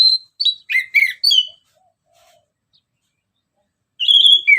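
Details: ['Orange-headed thrush singing ngeplong style as a lure for other birds. A burst of clear whistles and rapid downslurred chirps, a silent gap of two seconds, then a loud ringing whistled phrase falling in pitch.']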